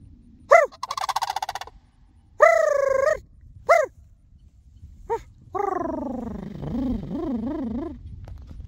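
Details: Sandhill cranes answering a person who calls to them: loud, rolling, rattling bugles in short bursts, then a long, wavering call that slides downward and trembles, followed by a spoken remark.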